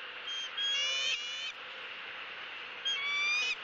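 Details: Female bald eagle at a Southwest Florida nest greeting her mate bringing a headless fish, 3 February 2017: two short runs of high, slightly rising squealed notes separated by a pause, over constant broad hiss.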